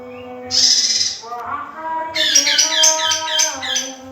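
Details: Young male lesser green leafbird singing: a bright, noisy, high burst, then a short run of clear mid-pitched whistles leading into a rapid jumble of sharp, varied high chattering notes, with a steady low hum underneath.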